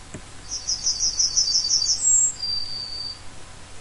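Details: Yellowhammer song, likened to "a bit of bread and no cheese": a quick run of about a dozen thin, high, repeated notes, then a brief higher note and a long drawn-out final note. Faint low hum beneath.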